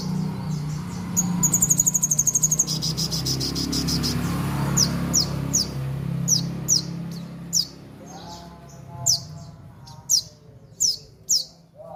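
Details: Horsfield's babbler from Mojokerto in full song: a fast ringing trill early on, then spaced, sharp, high downslurred whistles repeated roughly every second, with a softer lower warble near the end and background hum.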